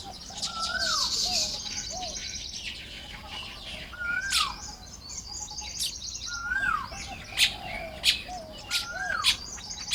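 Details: Baya weavers building nests on a May morning in Lopburi, Thailand: dense high buzzy chattering and sharp chips, with a clear descending whistle repeating about every two seconds in the background.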